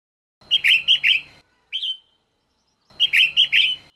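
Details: Female red-whiskered bulbul, her voice meant to stir males into singing; two bursts of four quick, bright warbled notes separated by a single short rising chirp, clean background.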